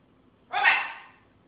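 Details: Military macaw kept as a talking bird lets out a single loud, harsh screech that starts abruptly and fades over half a second, in a quiet room.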